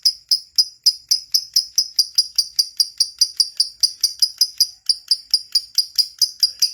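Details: Lovebird in gacor song for luring others to sing: a steady string of sharp, piping high chirps, roughly four per second, with thin tinkling overtones.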